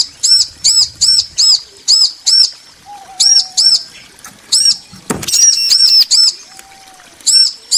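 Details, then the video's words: Bar-winged prinia pair, male and female calling back and forth: rapid runs of high, ringing, arched chirps, several notes per second, broken by short pauses and a brief loud knock midway. "Ciblek betina & Jantan saling nyaut"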